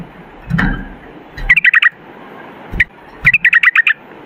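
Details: Short rapid trills of a yellow-vented bulbul (trucukan), 'ropel' style: two quick bursts of bright notes with a single note between them. Low rumbles and clicks sound in the background.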